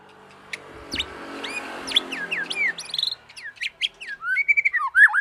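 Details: Young white-rumped shama song used to provoke other shamas into singing: a sequence of clear, sliding whistled notes, rising and falling, growing louder toward the end over a low background hum.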